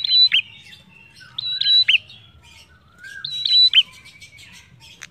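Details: Prinia song for luring other birds into song: three loud bursts of high whistles and snapping downward notes, about two seconds apart, with quiet chatter between them.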